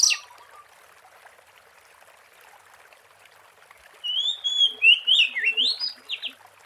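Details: Wild Oriental magpie-robin recorded as lure audio; after several quiet seconds, a whistled phrase of long tones and rapid up-and-down slurs, with faint low chirps beneath.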